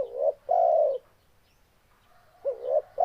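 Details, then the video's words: Spotted dove cooing: a rising note and a long mellow coo, a pause with faint soft notes, then the next phrase begins. "Suara Burung Tekukur"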